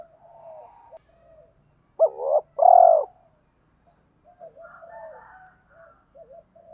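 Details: Cooing spotted dove, male and female calls: one phrase of a quick double rising-falling note and a longer descending coo, surrounded by soft murmuring notes and fainter distant warbling coos.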